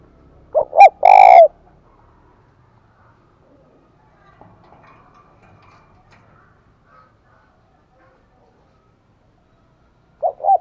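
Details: Bích bổi decoy call of a spotted dove used for luring doves. A burst of low coos, one harsh and loud, opens the recording. A long near-silence follows, then another short pair of coos at the end.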